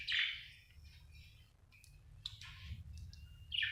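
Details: Happy budgerigar chirping: a bright, scratchy chirp opens, followed by scattered short warbles and thin whistles, then another harsh chirp at the end, over a low steady hum.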